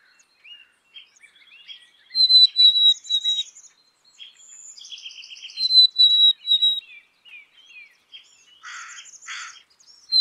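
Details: Clear high whistles from a black-capped chickadee, two three-note phrases sliding slightly downward, mixed with buzzy stacked notes and a pair of harsh rasps near the close.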